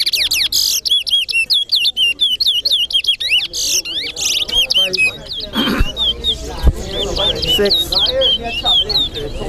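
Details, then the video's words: Towa towa, the chestnut-bellied seed finch, in a Guyanese singing competition; loud slurred whistled notes repeated quickly, later fading into softer warbling as people talk and count in the background. "TOWA TOWA BIRD COMPETITION"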